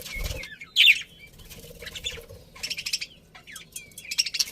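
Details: A colony of budgerigars kept as pets chirp happily. High, scratchy chirps and short whistled notes come in loose clusters, with a sudden louder squeaky burst near the start and light rustling underneath.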